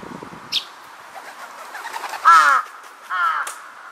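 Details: Two harsh, rasping caws from a Large-billed crow, recorded 2 September 2022 as it answered calls heard in the distance. The second caw is shorter and softer, over faint background bird chirps.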